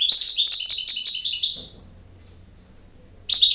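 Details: Goldfinch song in the campero style: quick, chattering, high twittering notes for about a second and a half, then silence until the next phrase begins.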